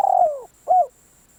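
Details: A spotted dove used for decoy calling gives a long, buzzy coo that falls in pitch, then one short arched closing note, with quiet afterwards.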